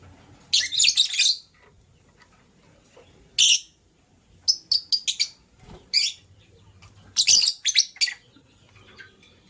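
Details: Morning chirping from a green lovebird alongside a blue lovebird scrambling for vegetables: clusters of rapid, scratchy high chirps, three or four notes at a time, separated by silent pauses.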